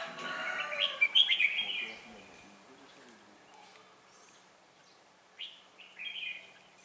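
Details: Red-whiskered bulbul fighting song beside a trapping decoy on 4 December 2016; an opening run of loud, rich warbled phrases, then a quiet gap, and short whistled notes returning near the end.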